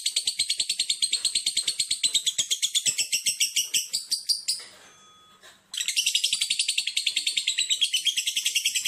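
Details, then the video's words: Lovebird singing in rapid shrill chirp trains, broken by a short pause before the fast high chattering resumes. "3 LOVE BIRD THE SPECIAL ONE,DURASI 1,3,7 DETIK"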